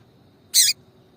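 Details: Female double-collared seedeater calling to excite a male, as kept by Brazilian breeders: one short, piercing, high-pitched peep, clean and isolated, with only low background hiss around it.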